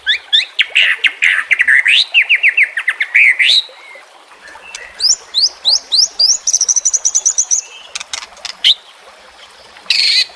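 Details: Shama (murai batu) singing over trickling water in a training recording: quick strings of bright rising whistles and clicks, then a pause, then a run of high chipping notes.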